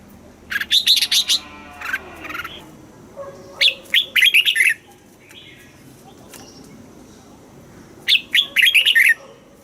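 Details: Southern master style song of a red-whiskered bulbul, played to rouse caged birds and tutor young birds: three lively bursts of sweet, warbling chirps, each about a second long, with quieter gaps of two to three seconds between them.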